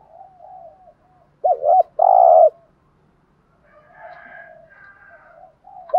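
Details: One loud spotted dove phrase, a warbling double note then a drawn-out buzzy coo, in thúc gù lure style to get wild doves cooing back; quiet low coos heard before and after.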